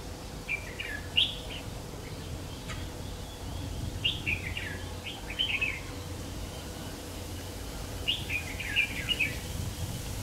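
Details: Red-whiskered bulbul serving as a trapping lure, 3 September 2019: three separate bursts of lively warbled whistles, each about a second long, spaced roughly every three to four seconds over faint background hiss.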